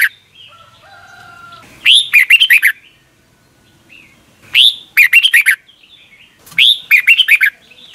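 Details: Red-whiskered bulbul, Thailand, song for teaching young caged birds every morning; three strong rising-then-tumbling whistled phrases about every 2.5 seconds, with softer chirps and a thin whistle from other birds in the pauses.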